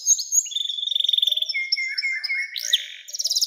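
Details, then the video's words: Canary song used to prompt young canaries to sing: a high buzzy rattle, then a rapid pulsing trill, steady whistled tones and a sharp rising buzzy burst. "SUARA KENARI NEMBAK PANJANG‼️cocok buat pancingan kenari muda dan masteran burung"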